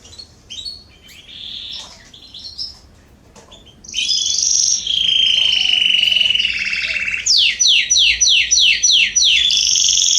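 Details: Canaries singing in a garden in September 2020: scattered high chirps, then a loud sustained rolling trill, followed by a series of rapid downward-slurred notes repeated about every third of a second.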